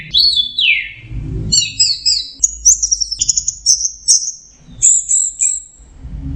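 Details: Orange-headed thrush in teler song, opening with a falling slurred whistle, then dense high chattering notes and a rapid series of clipped trills, over a low background rumble.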